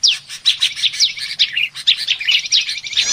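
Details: Agitated bar-winged prinia call used as a lure for trapping small birds: dense, rapid high chirps and downslurred squeaky notes running continuously, scratchy and excited throughout.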